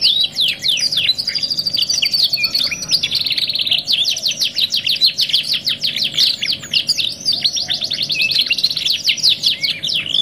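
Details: Canary on a 2-in-1 tutor song recording, with a long outpouring of quick slurred whistled notes, brief high trills, and a dense stretch of fast repeated sweeps lasting several seconds.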